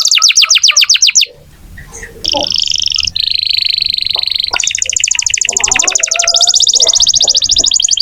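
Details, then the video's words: Canary singing as a prompt for young or non-singing canaries: fast trilled phrases, a short pause with low rumble, then sustained buzzy rolls at changing pitches, each held for a second or more. "Kenari gacor untuk pancingan kenari muda atau macet bunyi"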